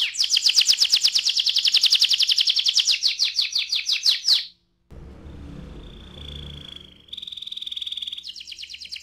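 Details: Canary in ngerol rolling song, used to prompt other canaries to sing: a long dense buzzy trill for four seconds, a short pause with low background noise, then a thin steady tone and renewed trilling.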